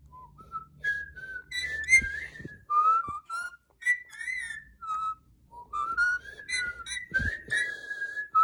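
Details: Pet parrot, molting around the mouth and described as hormonal, whistling the tune of "Twinkle Twinkle": clear melodic whistled notes rising and falling in short phrases, with a few gaps and soft knocks between.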